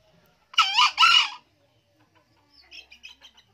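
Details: An old male green junglefowl gives a loud, hoarse two-syllable crow, both rasping parts close together. After a pause, faint short chirps from small birds follow.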